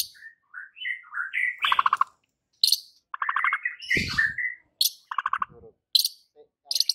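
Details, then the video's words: White-rumped shama song meant to provoke rival birds into anger: varied whistled phrases mixed with harsh rattling bursts and buzzy notes, broken by short pauses. "PANCINGAN Murai Batu yang bikin lawan Langsung NGAMUK & EMOSI TINGGI seketika"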